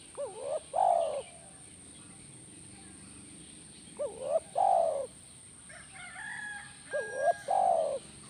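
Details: Spotted dove (tekukur) call for drawing a response from a caged dove: three two-part phrases, each a short rising coo then a longer steady coo, spaced roughly three seconds apart, with a faint higher twitter midway.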